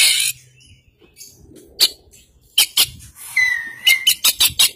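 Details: Caged white-breasted Oriental magpie-robin (Kacer Poci) from East Java, trained with other songbirds in a full isian style. Scattered buzzy bursts and one long level whistle, then a quick run of five sharp rasping notes near the end.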